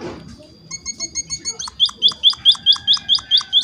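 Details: Munia giving an animated chirping song used as a lure so other munias answer: short high notes that begin soft and grow louder and sharper, repeated at a brisk steady pace.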